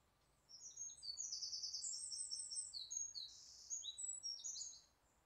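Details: Wren singing unseen in a tree canopy at Pilley Bridge Nature Reserve on 30 July 2012, recorded with a Nikon D3200: a loud, rapid outpouring of high trills and sharp notes lasting about four and a half seconds, over quiet background.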